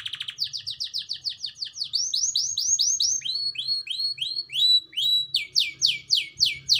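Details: Canary with black-throat and prinia phrases in its song: rapid series of repeated downward-slurred whistles, about three per second, shifting pitch between phrases, followed by a brisk trill of clipped notes and more loud sweeping syllables.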